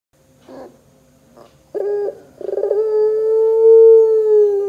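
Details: Puter pelung dove in a lure recording meant to get other doves singing: two faint short bursts, then a stuttering pulsed lead-in breaking into a long, steady, low drawn-out coo lasting about two seconds.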